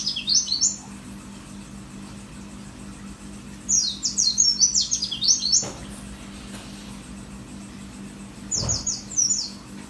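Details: Mountain white-eye of the Merapi type, a kept bird giving its "wit wit wit" song material: three short bursts of high, sharp, rapidly repeated chirps separated by pauses, over a steady low electrical hum.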